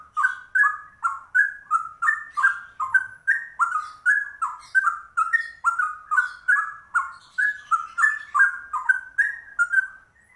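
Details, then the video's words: Trucuk, the yellow-vented bulbul, in a long rapid-fire ropel imitating cucak rowo: some thirty bubbling two-part whistled notes in ten seconds, rising and falling, steady and loud, thin high chatter faintly behind. "Trucuk langka ropelannya cucak rowo"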